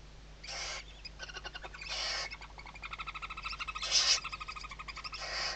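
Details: Nest of Western barn owls in Tarragona, Spain, 2023 season, one chick moving beneath the mother's wings: harsh hisses alternate with fast rattling chitters, growing louder toward a strong hiss near the end.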